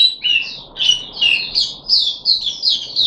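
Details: Puff-backed bulbul kept in a cage, recorded 14 July 2021 on the third day of a deworming course: a quick string of bright chirps and falling slurred notes, closely spaced, over low background hum.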